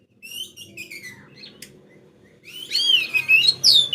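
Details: Oriental magpie-robin in full song, singing day and night, used as a lure for other birds: a few thin whistled notes, a pause, then a loud rich burst of warbled, sliding phrases. A faint low hum runs underneath.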